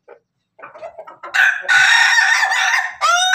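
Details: Pelung chicken crossbred with Bangkok, Ketawa and Jogja chickens, crowing in the afternoon: a few soft clucks, then a loud, long, harsh drawn-out crow held for nearly two seconds, ending with a brief rising final note.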